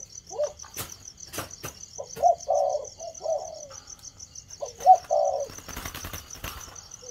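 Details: Cooing spotted dove (cu gáy thổ) just starting up: sparse, low hooting coo phrases with an accented first note, broken by sharp knocks and rustling clatter, while a continuous high-pitched insect buzz pulses in the background.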